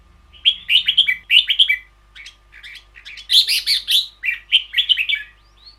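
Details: Caged red-whiskered bulbul delivering ber yao, a long doubled song: repeated pairs of mellow, chattering whistled phrases, swelling louder midway, with a faint steady hum underneath.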